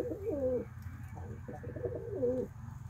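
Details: Pet fantail pigeons on a breeding farm give soft, rolling coos that rise and fall, with a low hum in the background.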